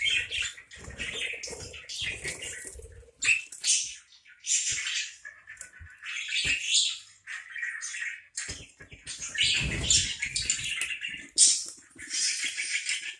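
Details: Long run of parakeet chatter: rough squawks and chirps in irregular bursts, with scattered clicks and soft rustling below.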